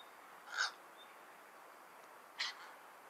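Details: Cattle egret, known locally as Bagula, uttering two short, rasping croaks about two seconds apart against a low, even background hiss.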